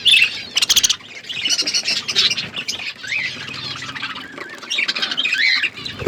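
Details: Several budgerigars kept in an outdoor aviary squawking and chattering, sharp high chirps and warbling squeaks overlapping continuously, with a burst of fluttery clicks near the start.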